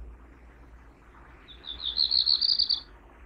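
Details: Black Redstart (Phoenicurus ochruros) from a British Library Listen to Nature recording: one brief, high, scratchy rattling trill lasting about a second and a half, slightly wavering in pitch, over a quiet low rumble.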